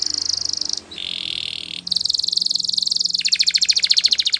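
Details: Canary training song with a loud buzzy rolling trill, a lower rasping section, then a fast pulsed chatter, set against a faint steady hum.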